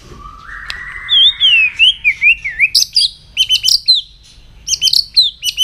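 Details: Morning song of a White-rumped shama during voice training: a soft rising whistle, wavering higher slurs, then quick repeated sharp chirps in clustered bursts.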